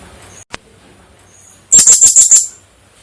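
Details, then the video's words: Female blue-crowned hanging parrot, said to be vocal and suited as a breeding hen, after near silence and one click, delivers a quick run of five shrill, very high chirps within under a second. "suara burung serindit betina gacor"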